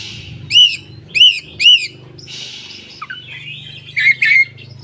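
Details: Koci opening its tail and singing, used to coax mute koci into voice; three loud arched chirps evenly spaced, a soft hiss, then a quicker twittering phrase over a low hum.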